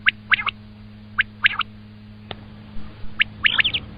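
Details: Repeated three-note calls of a common quail, sharp clipped notes grouped in quick triplets, three phrases with a click and some rustling between them, steady low hum in the background.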